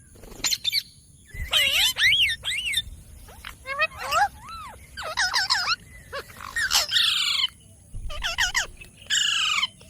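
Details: Talking pet ringneck parrot, green, producing a busy stream of looping, wavering harmonic syllables like garbled words, mixed with harsh raspy squawks and brief silences.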